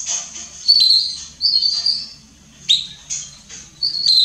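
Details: A female Belgian canary chirps and sings like a male, giving high, bright chirps and short warbled phrases, several within a few seconds, with a faint low hum behind.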